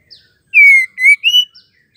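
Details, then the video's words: Female white-rumped shama call used to trigger male singing: a short burst of three loud whistles, a long gently falling note, a rising slur, then a higher upward note, with faint chirps before and after. "MURAI BETINA PENGGACOR AMPUH RESPON CEPAT AUTO GACOR"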